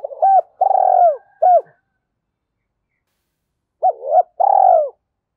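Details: Spotted dove cooing, played as a lure for wild doves. Two rich phrases: the first stretched with an extra clipped note at its end, the second a rising note and a long falling coo, about three seconds apart.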